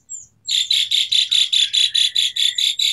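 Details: Asian pied starling singing vigorously, used as a lure for starlings that have stopped singing, with a varied 'tembakan' fill: a brief thin whistle, then harsh buzzy bursts repeated about four times per second.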